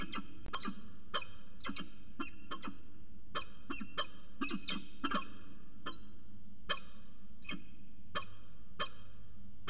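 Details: Afternoon exchange between a peregrine falcon pair at CSU Orange, 13 January 2019: dense bursts of brief, harsh, chipping notes, some paired, running almost continuously over a constant low background hum.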